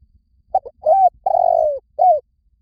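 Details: Lure call of a spotted dove for attracting doves: a single phrase of two short coos, then a long drawn-out coo and a final falling coo. The cooing is clean and low-pitched, with no other sounds.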